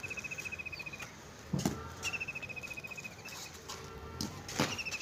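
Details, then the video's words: Village birds singing, with repeated high whistled trills of quick evenly spaced notes, each lasting about a second, broken by a few sharp clicks and taps amid low background noise. "Birds Singing in a Village"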